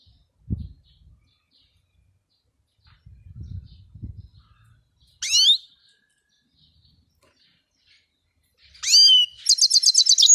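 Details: European goldfinch song: after low thumps and rustling, a brief high twittering burst, then later sweeping high notes and a rapid run of bright, tinkling repeated chirps.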